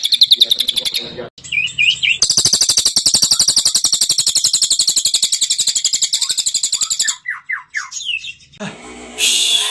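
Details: Cililin song in 'tembakan' style mixed with other bird phrases: a short bright trill, then a long, sustained rattle of very fast high notes lasting about five seconds, followed by several separate downward-sliding whistles and a loud hiss.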